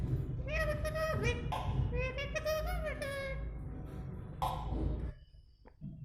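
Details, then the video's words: Talking parrot mimicking human words, such as its own name. Run of quick voiced syllables for about three seconds, a brief rough burst later, and constant low background rumble that drops out near the end. "Parrot calling out it's name"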